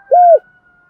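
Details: Single spotted dove coo in the 'thổ' voice: one smooth, arched, hollow note lasting about a quarter second, with a faint steady tone in the background.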